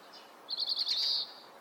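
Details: Breeding-season male Oriental greenfinch in Hokkaido: a quick rolling twitter of about five notes running straight into a sustained nasal buzz, clear and close over faint hiss.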